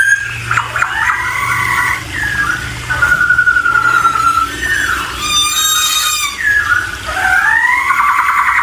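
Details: Laughingthrush (poksay) singing a varied run of loud whistled phrases, some sliding and wavering, with brief high rattling notes midway and a low steady hum beneath.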